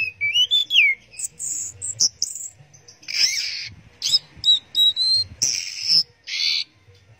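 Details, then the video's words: Orange-headed thrush singing in the teler style: a rich run of varied notes, with sweeping whistled slurs, buzzy high bursts and short chattering phrases broken by brief pauses. "Burung Anis Merah Teler"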